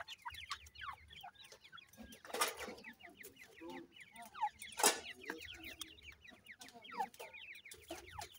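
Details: Young grey francolins call their mother with dense, overlapping chirps that slide downward, a near-continuous chorus broken by two loud rustling bursts.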